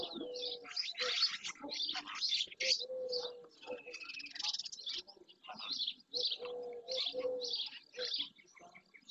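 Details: Early-June gathering of barn swallows, many juvenile, on the shore of the Doñana marshes in Andalusia, Spain; rapid high chirps pour out in dense clusters while other birds give short, level, lower-pitched notes below.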